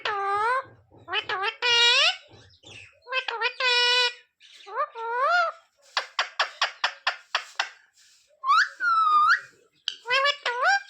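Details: Talking parrot repeating "sita-ram" and "jay shree ram": a long run of squeaky, word-like syllables, then a rapid string of about ten short clipped notes, then a drawn-out rising phrase.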